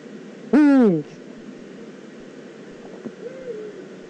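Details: Recorded in the Eifel on 9 September 2014, a Eurasian eagle-owl utters one loud, grating call of about half a second that falls steadily in pitch, followed by a faint, short wavering note and quiet background noise.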